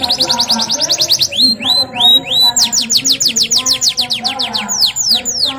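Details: Canary singing steadily: rapid trills of repeated high rising sweeps, a few slower slurred whistles near the middle, then more fast sweeping notes, over a low background hum.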